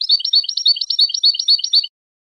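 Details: A continuous fast goldfinch twitter of bright, rolling high chirps, alternating two pitches in a bouncy rhythm for nearly two seconds before stopping.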